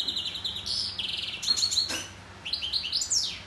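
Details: European goldfinch song: rapid, liquid twittering with buzzy trilled phrases and bright chirps, a short lull, then a fresh outburst of high rising and falling notes over faint low hum.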